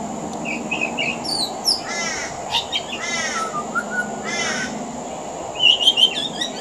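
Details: Australian pied butcherbird on a veranda, its song laced with imitations of other local birds: harsh ragged caw-like notes alternating with clear gliding whistles and a closing burst of high twittering, steady faint hum behind.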